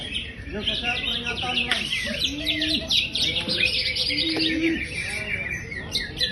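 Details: Greater green leafbird, described as a champion singer, pours out rapid twittering phrases of bright, downward-sweeping and rising notes that run almost continuously. A constant thin high buzz and faint low hums and voices sit underneath.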